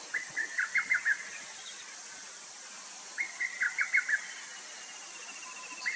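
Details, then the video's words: Lesser cuckoo, a common summer visitor calling persistently while hidden among branches; two quick bursts of about six clipped, loud notes, each run slightly tumbling, about three seconds apart, over a steady high insect hiss. "두견이 새소리"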